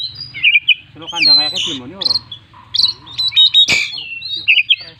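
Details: Kacer, the Oriental magpie-robin, singing gacor with full isian, meant for luring other birds: jumbled whistles, harsh rasping notes and short bright phrases in quick alternation, with a low steady hum beneath.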